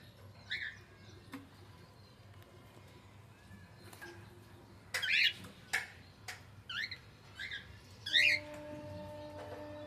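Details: Pet cockatiel giving scattered harsh chirps and squawks amid a low background hum, with a few louder screechy notes around the middle and steady tonal hum near the end.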